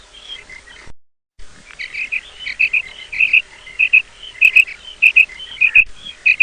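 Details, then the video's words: Female quail calling in the morning: high, paired chirping notes repeated roughly every half second after a brief drop-out, over a busy background of softer twittering and faint clicks. "Female Batair Calling 2020 | Female Quail Sounds | Mix Calling| Maadi Batair Ki Awaz Suba ki liye"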